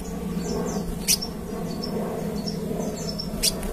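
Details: Crimson sunbird, used as a lure for young birds, giving sharp, very high, short chipping notes about two seconds apart, with faint thin high whistles between them over a steady low hum.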